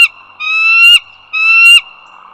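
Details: Bald eagles on the Dulles Greenway in northern Virginia, 08:55 on 16 April 2022: two drawn-out, slightly rising squealing calls, each clipped off sharply, with a steady high tone throughout.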